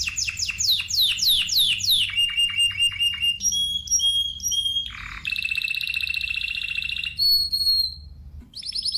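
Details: Spanish timbrado canary song built from varied phrases: sweeping descending notes, a rapid rattling trill, pure whistled tones, a lower buzzy burst and a long metallic rolled trill, each section changing abruptly.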